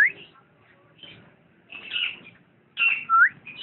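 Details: Lovebird making scattered squeaky chirps and a clear upward-sweeping whistle near the end, between quiet gaps.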